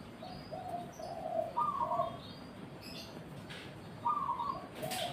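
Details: Zebra dove coos in short rolling phrases, low notes broken by two brighter higher bursts, with scattered high chirps and a low hum behind.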